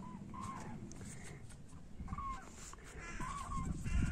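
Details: Common cranes migrating back toward Europe; loud trumpeted notes rise and fall in pitch, a few seconds of overlapping calls, while a deep rumbling noise swells toward the end.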